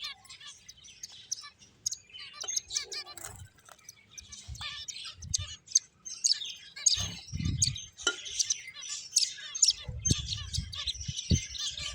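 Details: Finches chirping during play: scattered sharp tweets build into a dense chorus of high twittering, with occasional low thuds and rustling.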